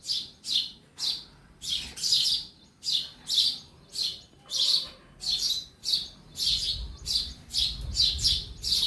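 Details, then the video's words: Sparrow inside a home repeating sharp, high chirps in an uneven but continuous run, about one every half second, with a faint low rumble joining toward the end. "Real sound of sparrow in my house"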